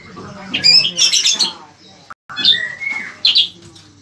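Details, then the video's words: Cicak kurincang, or bayeman, giving harsh high squawky chirps, a short break, then a thin drawn-out whistle and further sharp chirps; low hum underneath. "bayeman atau cicak kurincang gacor"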